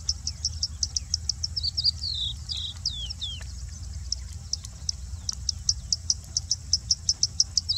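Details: Singing bushlark sitting on harvested peanuts in an Andhra Pradesh peanut field, India, crest raised: rapid high chips repeated in runs, several downslurred whistled notes in the middle, then more quick chips, with constant insect buzz behind.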